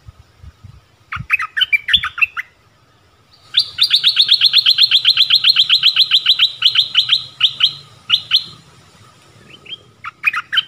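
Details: Decoy nok dok taeng calling to attract a mate in the forest, 13 January 2021: jumbled chirps open, then a long, even trill of rapid high notes repeated many times, trailing into scattered chirps.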